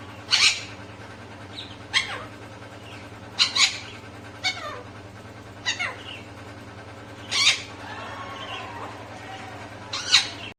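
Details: Parrot giving a series of harsh, broadband squawks and clicks roughly every one to two seconds, with a few softer curving, voice-like notes between them, over a constant low background hum.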